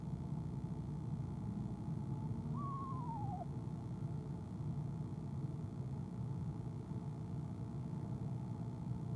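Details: Female eastern screech owl trilling from her nest box in the evening, 25 January 2015, shortly before leaving: one quavering call that falls in pitch, then quiet apart from a persistent low rumble.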